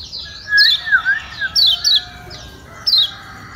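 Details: Lombok kecial kuning, a white-eye, uttering a few sharp downward-slurred high chirps spaced about a second apart, used to coax lazy birds to sing; softer lower whistled notes run underneath.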